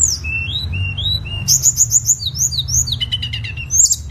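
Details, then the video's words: Tledekan song for tutoring cage birds: a series of upslurred whistles repeated about twice a second, then bright high chirps and a quick rattled run, with low background hum. "MASTERAN SUARA BURUNG TLEDEKAN"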